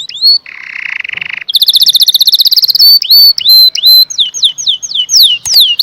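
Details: Canary song opening with a harsh buzzy note, then a fast bright trill and a run of looping whistled notes repeated about twice a second.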